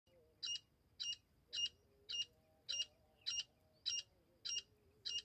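A Grey francolin gives harsh, ringing call notes, about two every second in a steady run. A faint wavering hum sits low in the background.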